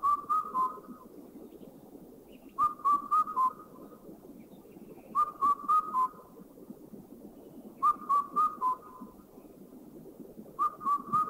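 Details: Indian cuckoo (Cuculus micropterus) in a Thai national park giving its mellow four-note whistled phrase, the last note dropping, repeated about every two and a half seconds over a steady low background hum.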